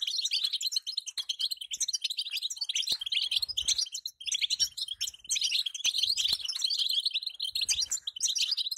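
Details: Female European goldfinch calling to set a male singing: dense, unbroken high twittering of quick tinkling chirps and short trills, with brief low thumps underneath.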